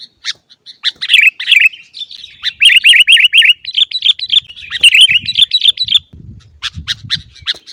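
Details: Sooty-headed bulbul song for training caged birds: quick chirps leading into a rapid rolling series of bright repeated notes, then sharp chips, with faint low rumbling beneath.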